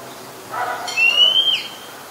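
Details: Oriental magpie-robin, a very common resident, singing at Ubon Ratchathani, Thailand, on 17 July 2021: a single clear whistled note sliding slowly upward, preceded by a softer lower blur of sound.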